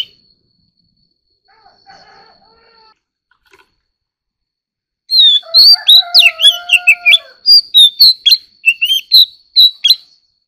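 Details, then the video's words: Oriental magpie-robin singing in a duel. After quiet with faint soft tones, a loud series of rapid, varied whistled and chirped notes begins, briefly over a low sustained whistle, and continues to the end. "choè than kích hót || choè than hót đấu"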